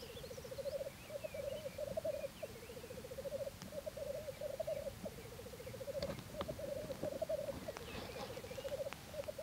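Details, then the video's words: Black grouse courtship display: a continuous bubbling, rolling coo in long rhythmic bursts of rapid pulses, low-pitched and repeated with brief breaks, over steady background noise with occasional faint higher calls and clicks. "Parade tétras lyre 2014"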